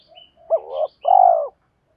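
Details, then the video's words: Spotted dove decoy calling to lure wild birds: a hooked coo rolling upward, then a long steady low coo, with faint high chirps from another bird. "tiếng chim cu gáy thúc đấu và gáy gọi, chim cu mồi gáy gọi bổi nghe rất nhanh về cội, cu đất gáy"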